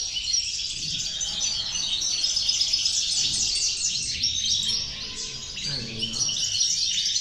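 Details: A 'corona de caderneras' in six batches with a goldfinch in full song: fast, buzzy-bright twitters repeat about four times a second, high and continuous, with little other noise.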